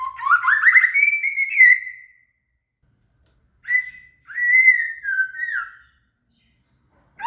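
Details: Shama, or murai, song used as training material for a cililin: loud clear whistled phrases rising from low to higher pitch, a long sliding note, then a pause and shorter whistled phrases, with no other sounds.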